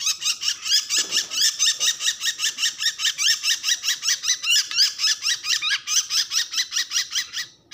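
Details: Distress call of a bird, a long, steady run of shrill, raspy squeaks repeated more than twice a second, each note buzzy and rising slightly, continuing almost without break in a small indoor space.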